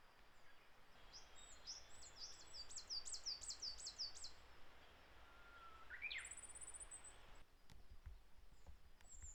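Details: Wild coal tit in Japan during April: a fast run of high, thin, repeated notes, followed by a brief lower rising note and a short high buzzy sound, over constant rushing ambient noise.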